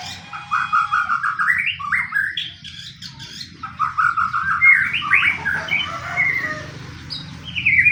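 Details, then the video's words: White-rumped shama song played to provoke other shamas to sing: rapid runs of chattering, stepped notes climbing in pitch, followed by sharper rising whistles and a high squeaky phrase. "pancingan murai pastol tarung murai apapun akan ikut bunyi"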